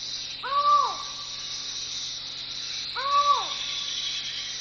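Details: Deep in the Belize jungle at Chan Chich, a collared forest falcon gives two separate hollow calls, each a short rising-and-falling slur, spaced roughly two and a half seconds apart against constant buzzing insects.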